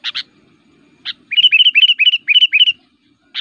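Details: Aggressive fighter song of a kutilang (Sooty-headed Bulbul), used as a tutor recording and forest lure. Two sharp chirps and a single note lead into a quick, repeated sequence of rising, liquid whistled phrases, closing with another pair of chirps.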